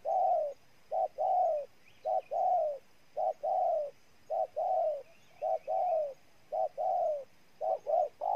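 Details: Spotted dove, Ninh Thuan province, Vietnam, cooing in a regular rhythm: about seven couplets of a brief coo and a longer downslurred coo, roughly one couplet per second, loud and close.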